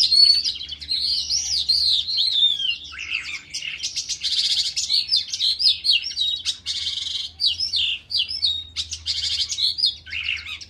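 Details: Dzhurbay song of a lark in a ravine: a long descending whistle opens a dense, hurried medley of chirps, buzzes and slurred notes, delivered almost without pause.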